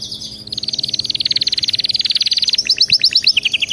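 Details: Canary song meant to get a pet canary singing nonstop: a long, even rolling trill of rapid pulsed notes for about two seconds, then a short run of crisp paired chirps.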